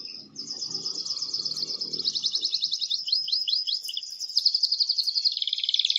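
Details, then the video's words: Loud, excited male canary singing to prompt the female to mate, pouring out one long rolling trill that shifts speed and pitch. A faint low murmur sits underneath at the start. "تغريد قوي جدا كناري هائج لتسميع الفراخ | canary singing"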